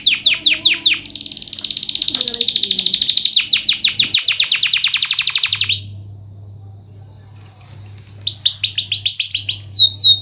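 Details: Canary singing as a model for lazy canaries: long fast trill of repeated notes, a brief gap, then clear whistles and falling notes, low hum in the background.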